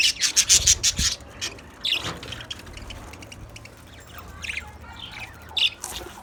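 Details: Caged white budgerigars with a rapid run of rasping chirps at the start, then sparser high squeaks and scratchy notes over steady low hum.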